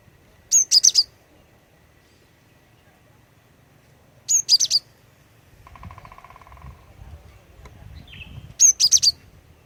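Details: Female cinereous tit singing to lure males into song: short bursts of three or four very high, sharp whistled notes, repeated about every four seconds over a quiet background with a faint low rumble and brief mechanical buzz.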